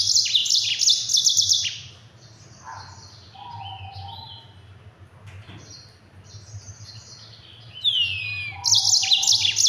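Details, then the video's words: Yellow-fronted canary, called mozambik, delivering a quick, dense training song for other birds: a loud high trilled burst, a quieter stretch of scattered chirps, then fast descending whistles and another rattling trill over a faint hum. "Mozambik Gacor Speed Rapat NGEROL PEDAS untuk masteran!"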